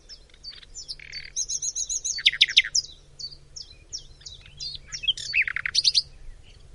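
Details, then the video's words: Common nightingale singing in Macedonia: a rich, varied run of sharp chirps, buzzy trills and quick descending notes, delivered in rapid bursts with brief pauses between phrases. "BILBIL - Nightingale"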